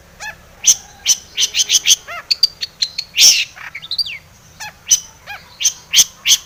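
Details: Long-tailed shrike singing a full varied song as a lure to trigger singing: rapid mix of sharp high chips, harsh rasps, harmonic nasal calls and mimic-like phrases in dense succession.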